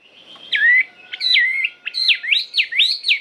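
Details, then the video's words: Chinese hwamei singing in forest style, a run of rich whistled phrases, each a swooping slur sliding up and down, delivered in quick succession. "Tiếng Chim Họa Mi Hót Chuẩn Giọng Rừng"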